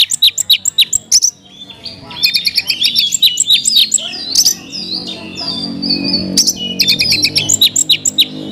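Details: Oriental magpie-robin (kacer) 'isian mewah' song. Rapid repeated high chirps open and close the passage, with tangled warbles and long thin whistles between. A faint low hum and tonal background are present.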